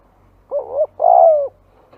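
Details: Two low spotted dove notes for luring doves: a wavering coo, then a longer rolling tremulous coo, with a faint hum beneath.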